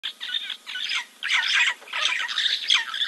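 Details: Giant kingfisher preening at Kings Camp waterhole, Timbavati Game Reserve, Kruger National Park, South Africa, 04.02.2024, picked up by a live nature camera: harsh, dense chattering bursts, high and scratchy, running almost continuously in three long runs with brief gaps.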